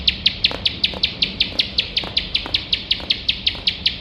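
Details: Rapid nonstop 'nembak' song of a bar-winged prinia, meant for training competition birds: regular high, piercing notes about five per second, with soft clicks underneath.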